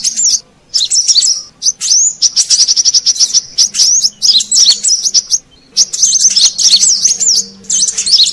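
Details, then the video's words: Brown-throated sunbird calling, used to lure wild birds: several phrases of very high, fast chirps and buzzy trills broken by short pauses, with a faint low hum in the background. "Suara Pikat Burung Kolibri Kelapa Manggar"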